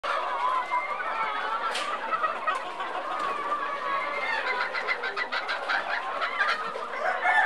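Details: Silver Spangled Appenzeller Spitzhauben chickens, a Swiss breed, heard as a flock: busy overlapping clucks and short squawks, with bursts of rapid cackling toward the end and no other sounds clear.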